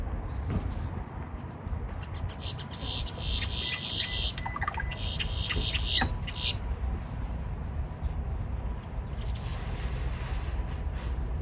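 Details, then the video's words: Grackles calling at a Walmart, making noises likened to a dial-up modem: buzzy, crackling bursts and mechanical-sounding high notes with a few whistled tones, over steady low traffic rumble, recorded on a phone. "Grackles at Walmart making dialup noises"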